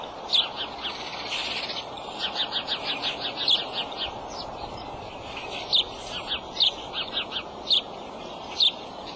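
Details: At a nest with eggs on March 23, 2:26 pm, an adult male bald eagle gives thin, high chips, with a quick chittering run of squeaks early on, then scattered single pips over background noise.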